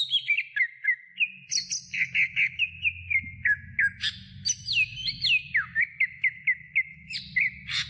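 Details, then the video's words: Greater green leafbird song used as a training recording for other songbirds: a rapid run of clear whistled notes near one pitch, with short upward and downward slurs and sharp high chips, and a low steady hum underneath. "Masteran Cucak Hijau Durasi Sedang"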